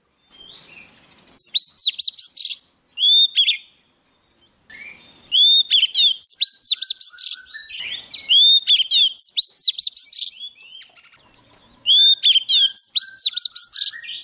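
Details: Young male Oriental magpie-robin singing strongly as a wild bird comes near: loud bursts of rapid, high, repeated whistled and sharp notes in rattling series, separated by short pauses and softer warbles.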